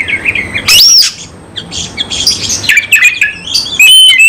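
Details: Oriental magpie-robin (kacer) singing in fighting mode, aggressive and emotional, with its full repertoire: loud harsh rasping squawks and bursts of high, sharp whistled notes, a short quieter pause midway, then more scratchy squeals and whistles over a faint low hum.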